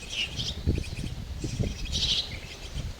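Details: Chestnut-tailed starling young being raised in a tree hollow utter short, hoarse, hissing rasps, a brief pair early and a louder burst near the end, amid low thumping and rustling noise.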